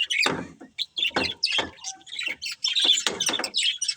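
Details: Budgerigar breeding pair giving short, separate chirps and squawky notes in quick bursts, with brief pauses between them and some low broadband clicks.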